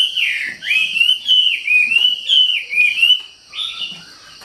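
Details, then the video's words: Wambi singing in a lively, energetic manner: slurred whistled notes sweeping between mid and high pitch, run together in a fast warbling phrase with short pauses. "SUARA KICAU WAMBI GACOR"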